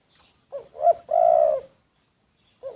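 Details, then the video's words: Secret recording of a decoy spotted dove giving one full phrase: two brief upturned hoots, then a sustained low, husky coo lasting about half a second, followed by the start of another phrase. "แอบอัดเสียงนกเขาใหญ่ นกต่อ"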